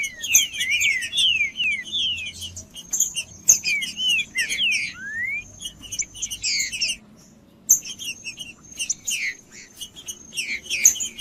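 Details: Green-winged saltator song used to get a quiet bird singing: quick clusters of falling whistled slurs and chips in repeated phrases, a brief near-silent gap around the middle, and a persistent thin high tone.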